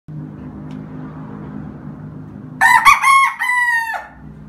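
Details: Five-month-old young rooster crowing: after a low steady hum, one loud, harmonically rich crow of a few choppy syllables, the last drawn out and falling, lasting about a second and a half.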